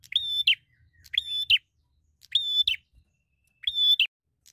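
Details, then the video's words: Fighter-type bar-winged prinia in full constant song, seeking a rival: four loud harsh whistled notes, level in pitch with a raspy upturn at each end, about one per second, over a soft low rumble. "Prenjak Gacor Fighter Cari Lawan"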